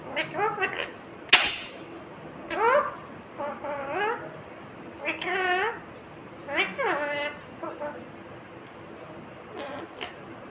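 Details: Indian ringneck parakeet mimicking "mummy papa"; a series of short talking phrases with swooping, wavering pitch, spaced through the recording, plus one sharp click, indoors.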